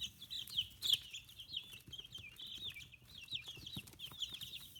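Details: Fifteen-day-old domestic chicks, feathers growing in, free-range poultry kept in Kitahiroshima, Hiroshima, Japan; a group chirps continuously with high, rapid peeps and short sliding whistles, overlapping, with a few faint clicks and knocks.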